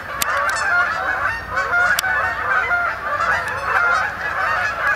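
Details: Roost arrival of Canada geese at Sapsucker Woods, Ithaca, 28 October 2017: overlapping honks from a flock, some single nasal notes standing out clearly, with sharp clicks near the start and at two seconds.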